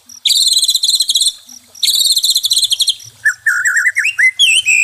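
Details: White-rumped shama song, used as therapy for a stressed bird: two fast, bright rattling trills are followed by clear whistled phrases that rise and twist, ending in a sharp upward flourish.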